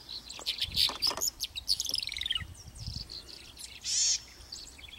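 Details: House wren recorded in 2019 around Ansenuza, Córdoba, Argentina: rapid, bubbly high chirps run into a quick descending string of notes, followed by a pause and a brief loud burst of noise.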